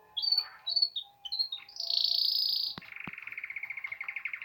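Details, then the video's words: Canary beginning to sing in spring: high whistled notes and short phrases, then a bright sustained buzzy note, followed by a fast, evenly repeated trill of pulses lower in pitch. "Canary begining to sing in Spring time/ Pierwszy śpiew kanarka na wiosnę"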